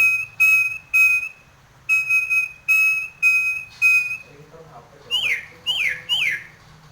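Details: Nias hill myna in breeding condition, head-bobbing while singing: loud, clear, pure whistled notes repeated about twice a second, followed by three sharp upward-sweeping calls, with a faint low hum behind.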